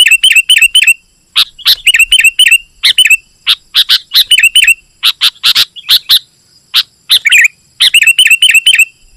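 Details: Sooty-headed bulbul in persistent song used for luring wild birds: trilled runs of quick repeated twitters, then a series of sharp separate chips, then more twittering, with clean silence between bursts.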